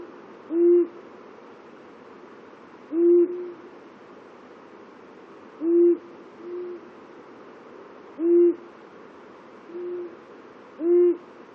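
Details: Long-eared owl (Asio otus), territorial hoots: two males calling at the border of their territories.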